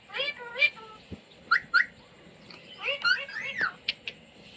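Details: Indian Ringneck parrot, a pet taught to say "mummy", "mitthu" and "roti roti"; quieter passage of short squeaky word-like sounds and brief whistled notes with small clicks between them.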